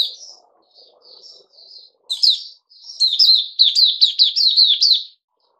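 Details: A kept bulbul, a Puteh Raja given fruit juice and a mealworm, opens with soft scattered notes, then builds into a loud rapid string of sharp chirped whistles, about eight in quick succession before stopping.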